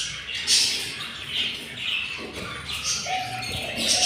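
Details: Hungry chicks from four hatched eggs in a yellow budgie nest, day 7. Rough, hissing high calls rise and fall in repeated bursts, with a brief steady tone near the end.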